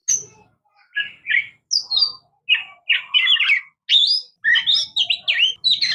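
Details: Oriental magpie-robin (murai kampung, kacer) singing a varied string of short chirps and sweet whistled notes, some harsh and twangy, delivered in quick bursts with brief pauses.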